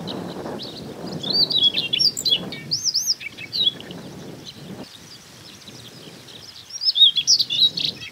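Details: Siberian rubythroat singing in Hokkaido coastal grassland, May–June, Nikon Coolpix P950; repeated high arched whistles and tumbling twitters in phrases, a pause, then another bright burst, amid low wind noise.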